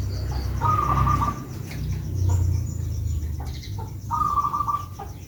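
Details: Local zebra dove (perkutut) kept in Blora, Central Java, giving two short, purring trilled coos about three seconds apart, over a steady low rumble of background noise.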